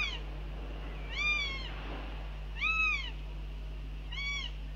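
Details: Northern goshawks at their nest on 09 June 2021 during breakfast, telling off the male that dropped in; drawn-out, arched, wailing calls, three spaced about 1.4 seconds apart, over a steady low electrical hum.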